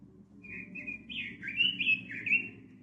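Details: Red-billed leiothrix, known as Pekin robin and kept by songbird hobbyists, singing one clear warbled phrase of slurred, rising and falling whistles that swell louder toward the end, over a steady low hum.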